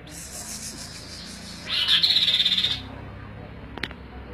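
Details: Kaso-kaso, kidangan or tepus glagah bird in persistent song for tutoring: a high hiss-like wash of sound leads into a rapid, pulsing trill of around ten beats, followed by quiet and a single sharp click.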